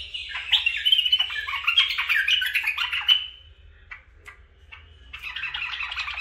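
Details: Pet bulbuls, a male with two females, kept caged at home, pour out a dense stream of chattering, squeaky warbles, then fall briefly quiet before another burst of bright chirping.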